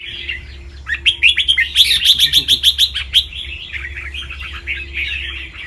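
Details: A white, red-eyed albino red-whiskered bulbul of a competition line from Chonburi sings bright, warbling phrases, with a quick burst of about ten clipped, repeated notes midway, over a low steady hum.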